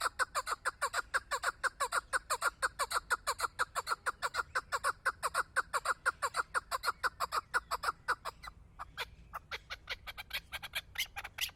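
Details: Chukar partridge, described as a hunting partridge, calling in a long, fast, steady series of short clucking chuck notes, several per second, with a brief pause near the end before the series resumes amid sharper clicks.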